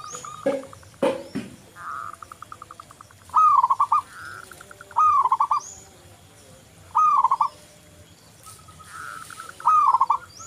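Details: Local zebra dove cooing as a singing lure: soft pulsed trills alternate with four loud, arched stuttering coo phrases spaced roughly every two to three seconds, with some clicks and knocks early on.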